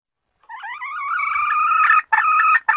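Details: A wild junglefowl crows: a long, drawn-out harmonic note that rises gently and grows louder, ending in two rougher, clipped bursts.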